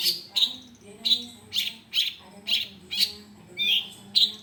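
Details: Long-tailed shrike song used as a training model for other birds: harsh, scratchy notes repeated roughly every half second with steady rhythm, each a rough burst with a bright whistled core.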